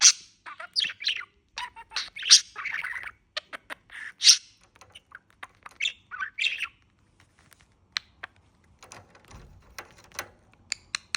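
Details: Male budgerigar kept in Istanbul, chattering and forming sentences: a rapid run of warbled, scratchy syllables and squeaks in bursts, then sparse clicks and short chirps trailing off.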